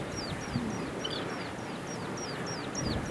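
An Oriental pratincole chick gives thin, high, slightly falling peeps, about three a second, over a steady low rumble of background noise.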